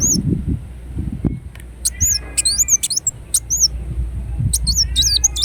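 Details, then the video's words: Kolibri wulung, the ruby-cheeked sunbird, in full song: scattered groups of piercing high curved notes and sharp clicks, with a few lower fluttering sweeps, over a low humming background. "Kolibri Wulung Gacor Dorr Bocor Corr"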